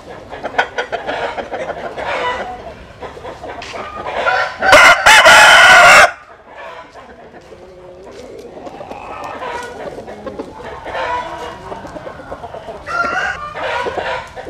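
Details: Rooster crowing at dawn as chickens sun in the morning: other crows and clucks at the start, then one very loud, harsh, sustained crow, followed by softer distant fowl calls and clucking.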